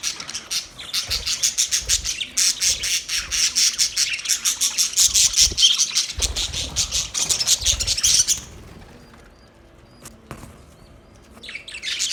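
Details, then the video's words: Budgies chirping in a fast, continuous, buzzy chatter for about eight seconds, then falling almost silent before a brief burst returns at the end. "Budgies chirping sounds"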